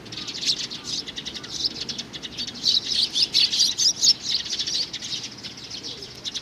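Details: High, sharp chirping from a young sparrow in June 2019, soft at first and then a louder cluster of rapid notes in the middle before fading.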